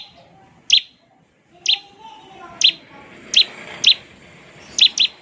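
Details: Bar-winged prinia in the 'ngebren' song style used to make other prinias respond: well-spaced, piercing high double notes roughly once a second, some in quick pairs, over a soft low background.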